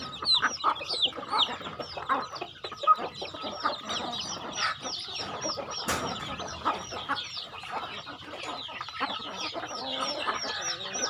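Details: Chickens on a rural home farm calling while being fed: a dense, continuous chorus of high, thin downward peeps from many birds overlapping, with scattered lower clucks beneath.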